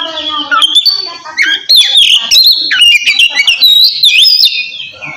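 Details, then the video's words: Oriental magpie-robin delivering ngeplong song to call a rival and encourage silent birds to sing; after a soft start, a dense stream of whistled sweeps, trills and rasping notes. "suara kacer ngeplong memanggil lawan cocok buat mancing kacer malas bunyi"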